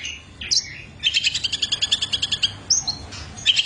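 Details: Singing long-tailed shrike with a rich varied repertoire: scattered whistled slurs, then a steady rattling series of about fifteen rapid notes, then short high whistles and a final sharp burst.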